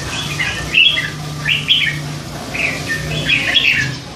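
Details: Young hand-fed red-whiskered bulbul, three months old and caged, chatters in a series of harsh, buzzy chirps and short warbles over a steady low hum.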